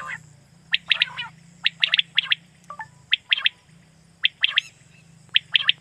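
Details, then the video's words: Quail lure call for night hunting in Pakistan, heard as rapid clusters of two or three crisp, high chirps repeated irregularly. A low droning hum runs underneath throughout. "Batair Kirak batair ki Awaz For Night Hunting"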